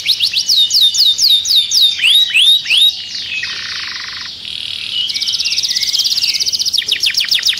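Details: Canary song used to stimulate other birds for mating: a run of rapid, repeated downward-sweeping whistles, then a broad buzzy rattle, then a fast, even trill and a few sharp whistled notes at the end.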